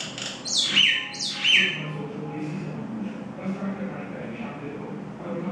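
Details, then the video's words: Common myna, locally shalik pakhi, feeding baby birds outside the nest: two loud, harsh, downward-sliding squawks close together in the first two seconds, then quieter murmuring background sounds. "myna bird feed baby birds,feeding outside nest,(shalik pakhi)"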